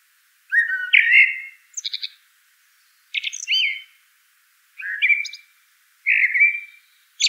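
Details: Common blackbird giving several brief, soft fluty phrases roughly every one to one and a half seconds, some followed by high, scratchy chirping notes. Nothing else audible.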